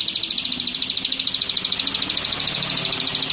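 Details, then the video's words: Hill prinia, mountain prinia in "keteran" song style, giving a fast, even run of high, sharp chips, about ten per second, held steady throughout with faint low background hum. "CIBLEK GUNUNG KETERAN"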